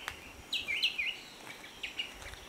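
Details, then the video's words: A striated bulbul gives a quick run of bright, warbled whistles that dip and rise, then two shorter notes a second later, over a faint outdoor hiss. "bulbul sound / striated bulbul call"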